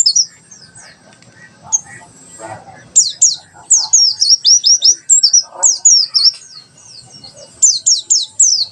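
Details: Mountain white-eye delivering tembakan sejalur song, a tutor recording for young birds: rapid series of very high, thin downward-sweeping whistles strung in fast runs, pausing briefly between bursts, over soft low background noise.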